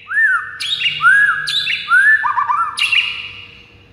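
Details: Song of a white-rumped shama meant to goad rival birds into singing, made of loud arched whistles, each followed by a higher buzzy phrase, repeating about once a second.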